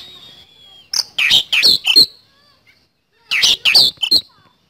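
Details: Oriental magpie-robin (kacer) singing vigorously in the 'nembak speed roll' style: two rapid bursts of harsh, chattering notes, each about one second, separated by a pause of over a second, with a thin whistle leading in.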